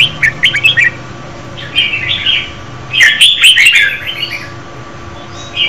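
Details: A female Red-whiskered Bulbul sings to stimulate a male, giving short, bubbly, warbled phrases in bursts, with pauses of about a second between them. A faint low hum runs underneath.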